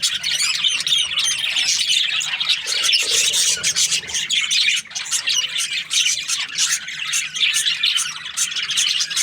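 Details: Budgies, Australian parrots, keep up nine seconds of busy chirping: overlapping raspy warbles, clicks and squeaky notes from a group, dipping briefly near the middle before resuming loud chatter.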